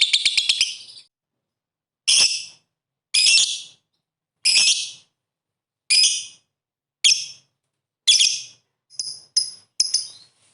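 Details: Lovebird calling with ngetik ngekek sounds to spur opponent birds to sing: a short rapid chatter, then about ten separate harsh, high, buzzy bursts spaced roughly one second apart.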